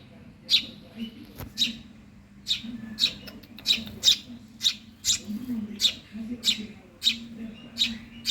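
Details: Hungry Eurasian tree sparrow chick begging: sharp, high chirps repeated roughly every half second to second, steady and insistent, over a low background hum.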